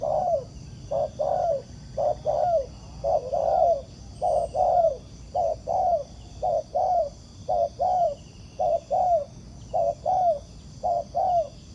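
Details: Untamed spotted dove, praised as a fine, fighting-spirited bird, cooing steadily at a ground decoy. A long run of about eleven two-part phrases: a brief note, then a fuller coo that bends downward, repeated almost every second.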